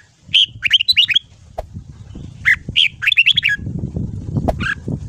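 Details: Red-whiskered bulbul singing in the morning, a training song meant to prompt a newly caught bird: two bursts of rapid, lilting warbled notes separated by a short gap, low rumbling noise behind.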